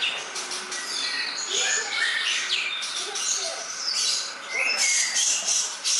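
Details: Greater green leafbird song: dense, rapid run of high whistled and chattering notes, varied and overlapping, with sharp upslurred phrases and short bursts, continuous throughout.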